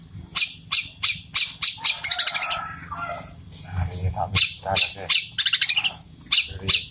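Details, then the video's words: Long-tailed shrike giving a fast fighting song in sparrow style, with loud high chirps spaced about every third of a second, quick stuttering rolls, and softer scratchy notes between them over a low hum. "Cendet suara gereja tarung roll speed gacor di jamin cendet anda langsung emosi"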